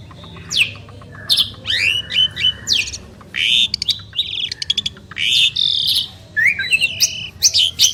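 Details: Duet from two outstanding Asian pied starlings: bursts of grating chatter broken by short pauses, with sweeping whistles, sharp downward notes and scratchy squawks alternating over several seconds.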